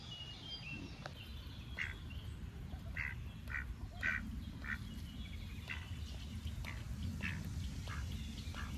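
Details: Ducks exploring the path edges and bushes around a pond on a sunny summer day. Irregular quacks repeat roughly every half second to second throughout, with low breezy rumble beneath.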